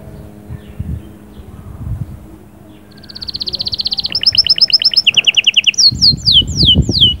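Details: Caged canary song for stimulating the female begins after about three seconds of low rumbling background, building into fast trills at shifting pitches and finishing with falling whistled slurs.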